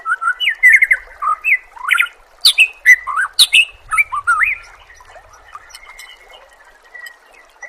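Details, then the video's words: White-rumped shama song from a training recording for songbirds: loud, varied whistled phrases that rise and fall, with sharp upslurred notes and rapid short bursts, fading into softer notes near the end. "Masteran murai"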